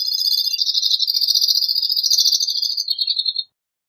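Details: Two-barred crossbill song: a continuous, dense high trill of fast repeated notes lasting over three seconds, shifting slightly lower toward the end before stopping abruptly.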